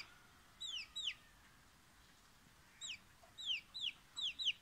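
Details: Frightened chicken chick: sharp, high descending peeps in pairs and short bursts, with a quiet gap in the middle, over faint background hiss.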